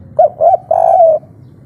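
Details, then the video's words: A spotted dove in the local 'kuk 3' style gives an agitated call used to draw replies from other doves: two brief rounded coos, then one drawn-out mellow coo that slowly falls at its end. "Suara asli tekukur kuk 3 ngamuk - raja pancingan langsung nyaut"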